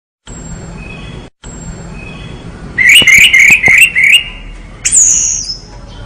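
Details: Orange-headed thrush singing vigorously: a thin faint whistle at first, then a rapid run of harsh chattering notes around three seconds in, ending with a bright, high, downslurred whistle.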